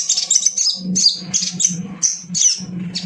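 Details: Little spiderhunter, a male sogon, with a quick series of high, squeaky chit notes roughly every third of a second, over a persistent low droning hum.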